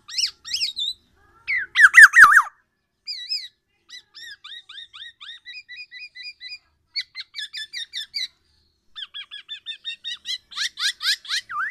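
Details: Tame, freely singing black-naped oriole: scattered loud burry notes, then soft, evenly repeated short whistles in several bursts separated by pauses, ending in a fast, louder run of chirps.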